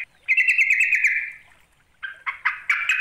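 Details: Yellow-vented bulbul calling a rival as a lure: a long rapid chattering phrase of bubbly notes, then a gap and a burst of short sharp chirps climbing in loudness.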